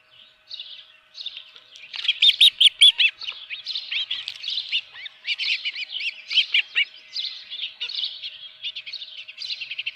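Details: Osprey at the nest with a live fish, 24 June 2018 at 7:32 AM on a ranch; moderately distant high whistled chirps, building into a rapid cluster then continuing as softer, irregular chatter.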